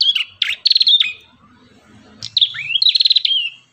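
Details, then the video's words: Ashy tailorbird (prenjak kepala merah) sings two loud phrases, each of sharp high chirps and a fast buzzy trill of rapidly pulsed notes. One upswept whistle rises into the second trill, and faint low rumbles fill the gap. "MASTERAN BURUNG PRENJAK KEPALA MERAH"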